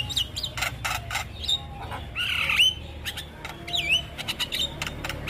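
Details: Javan myna singing in a tutor recording meant for young birds: dry clicks and rasps broken by loud upslurred and downslurred whistles, a rising wavering whistle near the middle, with a faint low hum behind.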